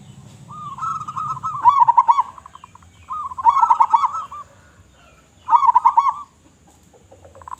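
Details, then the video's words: Actively singing local zebra dove with a big voice, meant to draw other doves: three rhythmic phrases of quick, bubbling coo notes ending in a rolled flourish, spaced roughly two seconds apart over a quiet background. "Perkutut Lokal Gacor Suara Besar Suara Paling di Sukai Burung Perkutut apa Saja"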